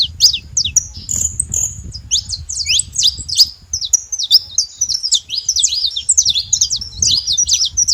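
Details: Saffron finch noisily calling: drawn-out high whistles then rapid jerky chirps and downslurs, over a steady low background rumble.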